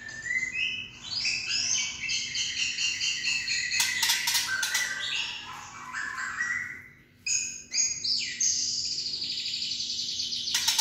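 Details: White-rumped shama giving its kretekan, a rattling call used to stir up other shamas so they sing eagerly; dense, fast crackling trills and rapid chattering phrases pour out almost nonstop, high-pitched, broken by a short pause midway and a few sharp clicks.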